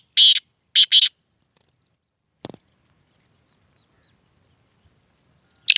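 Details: Black francolin, known locally as kala tetar, giving three short harsh rasping notes within the first second, then a single click and one more brief grating burst near the end, with quiet in between.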